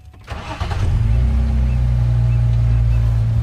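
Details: A vehicle engine starts and settles into a steady low idle rumble, with no animal calls heard.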